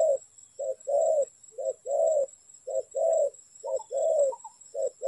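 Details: A spotted dove recorded where the birds are trapped, calling in a steady series of short coos, each followed by a longer, fuller coo, against a continuous high hum.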